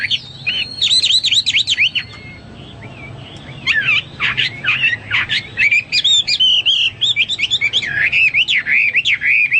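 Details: Hwamei song in two bursts: rapid whistled zigzag phrases, a short pause, then a denser flurry of clipped, jumbled notes and rolling whistles lasting several seconds.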